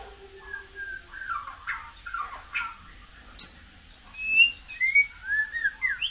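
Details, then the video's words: White-rumped shama song, used to excite caged birds into fiery form: clear whistled phrases around the middle range, a sharp high note, then a run of short rising and falling whistles. "tiếng chích chòe lửa hót dùng kích chim căng lửa hiệu quả"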